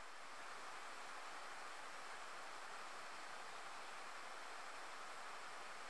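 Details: Only a soft, even rush of flowing water like a stream or waterfall fills the recording, with no calls or songs standing out.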